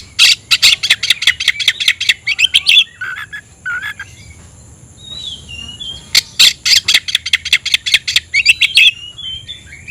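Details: Oriental magpie-robin (kacer) singing vigorously while seeking a rival: fast runs of harsh, scratchy notes repeated several per second, broken by short slurred whistles, then another burst of rapid notes.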